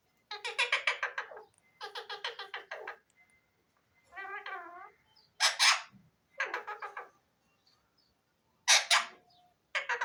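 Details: Pet talking parrot, a pahari tota, repeating bursts of rasping pulsed chatter, a wavering harmonic syllable and sharp squawks, with short pauses between phrases.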